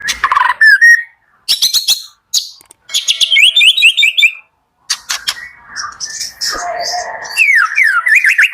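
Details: White-rumped shama song for the morning, used to stir shamas that are slow to sing: rich whistled phrases, rising slurred notes, fast rattling trills and sharp high chips, with short pauses between bursts.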